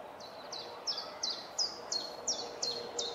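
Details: A common chiffchaff still singing at the end of June, when most songbirds have fallen silent: a steady run of high, clipped chiff-chaff notes, about three per second, alternating slightly up and down over faint hiss.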